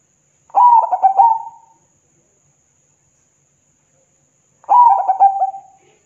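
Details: Zebra dove singing to get other doves to answer, giving two similar cooing phrases about four seconds apart, each made of rapid fluttering notes that settle into a trailing held tone.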